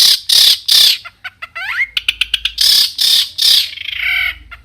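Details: Long-tailed shrike song meant to provoke rival shrikes: loud harsh rasping bursts, a quick series of clicks and a rising slurred whistle, then more rasps and a descending buzzy ending.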